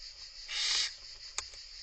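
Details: Barn owl chicks in an Italian monitoring nest box, where a third chick has hatched and the mother feeds the young: a steady breathy hiss swelling into a loud rasping snore for about half a second, then a sharp click.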